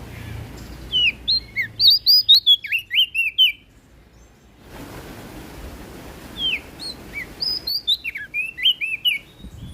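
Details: Prinia from NTB singing in two bursts of rapid, high, slurred whistled notes separated by a pause of about three seconds with faint background noise.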